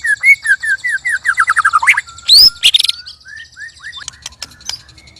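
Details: White-rumped shama (murai) singing loud strange sounds while sparring against three birds: a rapid series of short whistled notes, a harsh buzzy burst, sharp clicks, then spaced slurred whistles.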